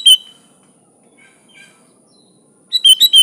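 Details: Bulbul song with a short clipped whistle at the start and faint soft notes in the gap. A Sooty-headed bulbul closes with a rapid run of four bright, bubbly notes.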